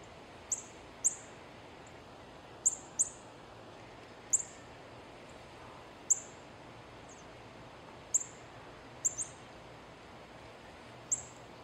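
A female northern cardinal gives sharp, high, metallic chips, single or in quick pairs every second or two, over a steady faint background hiss.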